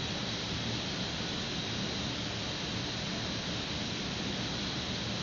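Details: Steady broadband hiss like rushing wind or water fills the recording, with no animal call audible.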